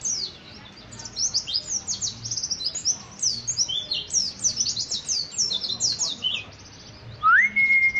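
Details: Kept white-eye of the Balinese dakun Kintamani type singing: a long run of very high, rapid twittering and chattering notes, densely packed, ending with a pure rising then level whistle tone.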